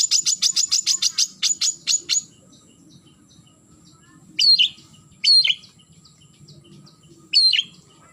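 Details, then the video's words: Long-tailed shrike calling a rival, opening with a quick burst of about a dozen harsh, high chattering notes, then three separate loud, sharp downslurred whistles spaced roughly a second apart. "Suara Burung Cendet Memanggil Lawan"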